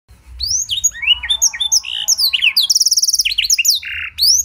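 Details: Canary song with blackthroat-style phrases, used to prompt and tutor other canaries: clear rising whistles and sweeping notes, then a fast buzzy trill near three seconds and a short steady buzz, with a faint low hum underneath.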